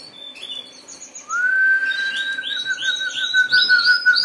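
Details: Harz Roller canary song: after a second of soft high chirping, a low smooth roll begins and continues steadily, overlaid by repeated higher rising chirps from other canaries in the room.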